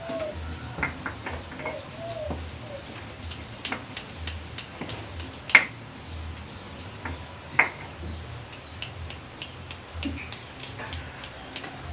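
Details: Scattered sharp clicks and ticking taps over a steady background hiss, with no clear animal call.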